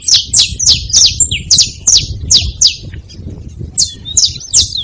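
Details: At a feeding spot, saffron finches give a fast run of sharp, high, downward-slurred chirps about three per second, a brief lull, then more chirps and a thin whistled note over low background rumble.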